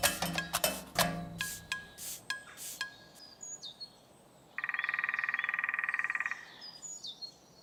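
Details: A female woodpecker drums loudly on top of a dead ancient oak above a path, one fast, even roll under two seconds, advertising territory to mates and rivals, after a man's voice and thin high chirps from small birds.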